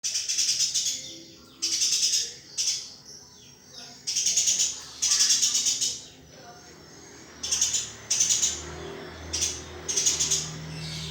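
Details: Eurasian tree sparrow master recording for training: bursts of high, dense chirping, each about half a second to a second long, separated by short pauses, over a low steady hum.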